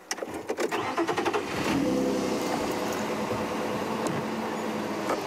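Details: Vehicle noise with clicks and a rumbling engine, with no animal calls. Mechanical clatter comes first, then a steady engine hum.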